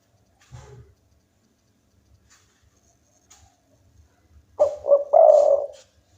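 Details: Local spotted dove singing keenly to stir rivals: soft clicks and rustles first, then one clear low phrase of two short coos and a long final coo near the end.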